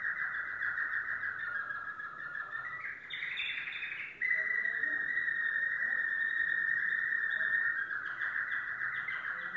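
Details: Yellow domestic canary in sustained song: rolling trills, a brief higher buzzy phrase, then a long loud steady roll continuing for over five seconds.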